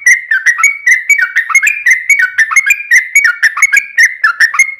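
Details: Sooty-headed bulbul in a long rapid song, meant to provoke other bulbuls to sing. A steady, whistled chain of quick rising and falling notes, roughly four per second, with no break.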